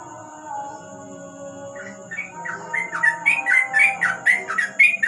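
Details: At night beneath a lamp, a yellow-vented bulbul breaks into fast 'ropel' singing after two quiet seconds of low hum, then quick slurred whistles roughly every half second, growing louder toward the end.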